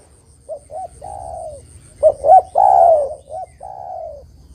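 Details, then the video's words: Spotted dove, known locally as tekukur, cooing as bait to draw in wild doves: a quiet phrase of two short coos and a long coo, then a louder repeat with the same pattern, over a low hum. "Suara Burung Derkuku GAcor Untuk Pancingan Dan Pikat Derkuku Lain Pasti Nyaut"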